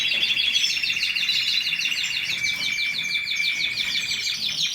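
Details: Canary singing a steady fast trill made of repeated downslurred notes, continuous and rhythmic, with a faint lower whistled tone running beneath.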